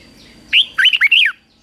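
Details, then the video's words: One brisk phrase of Red-whiskered bulbul competitive song, used in morning song training: a rising whistle followed by four quick, warbling, up-and-down notes, clear against near silence. "Luyện chào mào hót sáng | chào mào hót đấu"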